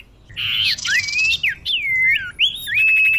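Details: Female common iora calling a male, a lure sound for attracting birds: a harsh buzzy rasp opens, then clear slurred whistles dip and rise, ending on a long steady whistled note.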